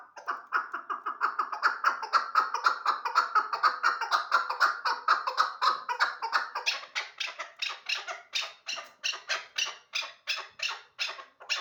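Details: Hybrid hunting chukar partridge starts with a fast rolling chatter of tightly packed notes for about six seconds, then breaks into louder, separated harsh chuck calls repeated around two per second.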